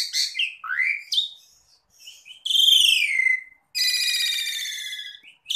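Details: Asian pied starling (jalak suren) singing a gacor track: mixed swooping whistles, then a long buzzy descending note and a drawn-out harsh rattling tone.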